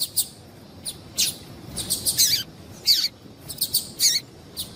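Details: Female double-collared seedeater calling to set males singing: a busy series of short, high, sharp chips at uneven intervals, some doubled or slurred downward, over light hiss.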